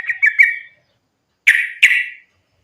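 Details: Sooty-headed bulbul in a fighting-style song used to lure other bulbuls into singing: a short bubbly run of warbled notes, a pause, then two loud, rich, slurred phrases.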